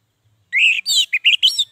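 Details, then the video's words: Orange-headed thrush singing a quick phrase used to stir silent captive birds: a rising whistle, then a rich, scratchy warble breaking into short clipped whistled notes, clean with no other sounds. "Suara Anis merah panggilan, pancingan, masteran, terapi"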